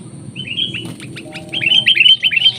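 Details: Sooty-headed bulbul, wild, meeting a decoy bulbul in the field: clear whistled notes, then a quick, lively series of rising and falling chirps in the final second, over a soft low background hum.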